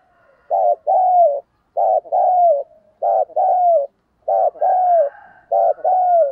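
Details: Lure call of a spotted dove meant to bring wild doves in fast: five phrases, each a brief burred note followed by a longer mellow coo, repeated roughly every 1.2 seconds.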